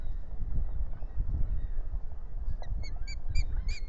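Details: Osprey pair on their stick nest by a lake at Salt Point, the male acting defensive, April 8, 2021, nest camera: a quick series of about five sharp, high chirps near the end over a steady low rumble of wind.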